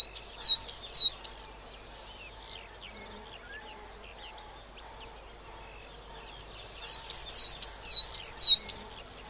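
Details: Coal tit singing in the UK: a bright, high, two-note phrase repeated rapidly about five times, then a pause of several seconds and a second run of six repeated phrases.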